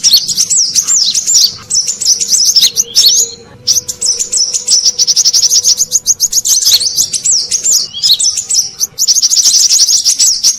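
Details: Brown-throated sunbird lure call for catching wild birds: sustained shrill twittering of looping, wavering high notes, broken by brief pauses, across the whole recording.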